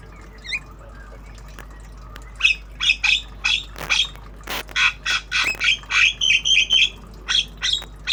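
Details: Tame Javan myna in obyogan singing style, learning sounds: a fast, uneven run of harsh squawky notes and chattering bursts, about three or four a second, over faint steady hum.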